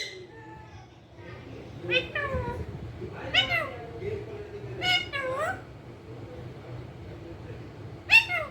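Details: Pet rose-ringed parakeet, a green ringneck parrot said to be talking, utters several wavering, bending, speech-like cries of varying length, followed by a sharp short squawk at the end, over a low hum.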